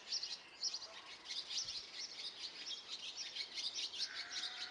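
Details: Continuous high-pitched chattering from nine baby Great tits in a bird box at a house in Belford, Northumberland, with many fast chirps overlapping throughout.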